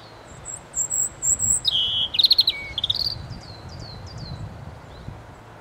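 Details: European robin song phrase: very high sustained thin whistles, then a lower drawn-out note and a rapid stuttering trill, ending in short descending high slurred notes, with soft background noise.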